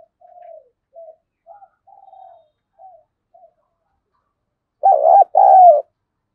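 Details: A series of soft, distant coos is answered by a loud, harsh phrase from a decoy spotted dove in 'thổ' style voice, provoking wild doves: a stuttering burst, then a long drawn coo.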